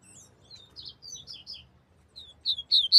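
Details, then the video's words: A double-collared seedeater sings a quick run of high, sweet chirped notes with short slurred whistles, ending in louder, more emphatic phrases; faint low rumble underneath. "coleiro desmantelo"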